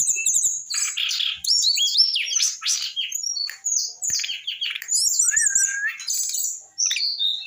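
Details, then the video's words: Eight-month-old Brown-chested Jungle Flycatcher already singing a varied, lively song: rapid high chirps, trills and whistled slurs, including a wavering trill and a steady lower whistled note, in quick changing phrases. "USIA 8 BULAN BURUNG SIKATAN RIMBA DADA COKLAT ( SRDC) UDAH BISA ROCK N ROLL"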